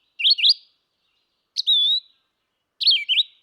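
A red-eyed vireo sings three short, slurred, whistled phrases, rising and falling, with about a second's pause between each. Nothing else is heard.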